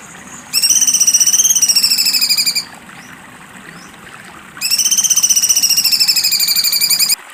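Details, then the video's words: Cucak cungkok repeating its loud rattling trill in two bursts of about two and a half seconds each. The rapid high pulses rise then sag slightly in pitch, with a quiet gap between bursts. "cucak cungkok besetan tajam"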